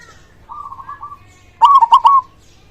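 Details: Local zebra dove, a loud, persistent singer used as a lure to stimulate silent or stressed doves to sing; a soft wavering coo, then a loud burst of three or four quick, stuttering coos.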